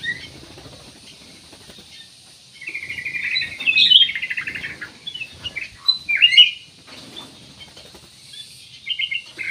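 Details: Steadily singing kutilang emas, used as a lure to make other birds sing: a longer buzzy, twittering phrase, then bright slurred whistles and a sharp emphatic burst, separated by quiet pauses with a low background murmur.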